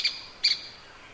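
Grey-capped pygmy woodpecker: two short, sharp, high squeaky notes about a third of a second apart, over quiet background hiss.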